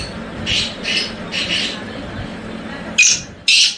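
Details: Tamed wild black francolin from Hangu, Khyber Pakhtunkhwa, Pakistan: a series of rasping, buzzy notes repeated about twice per second, ending with two louder, sharper bursts over a steady low hum.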